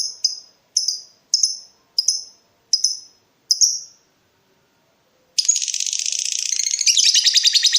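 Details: Lovebird challenging a rival in breeding mood: six clipped high chirps spaced about a second apart, then silence, then an abrupt burst of loud rapid chattering.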